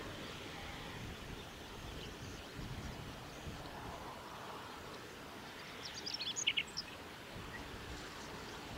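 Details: A male Chestnut-eared bunting (Emberiza fucata) sings at Kirigamine Plateau on 24 June 2018: one quick phrase of high, sharp chips near the end, over steady wind and distant rumble.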